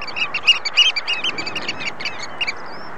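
Oystercatchers give loud, shrill piping notes in a fast, uneven series, several calls overlapping, over a soft steady background hiss.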